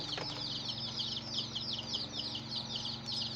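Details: Chicks with a hen, chirping constantly: many overlapping short high peeps, each a quick downward-sliding note, in a dense busy chorus, with a steady low hum underneath.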